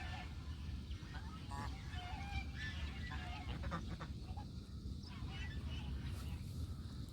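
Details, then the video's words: Domestic geese honking in a series of nasal, harmonic calls through the middle of the recording, over a constant deep rumble of wind or background noise. "Country goose call"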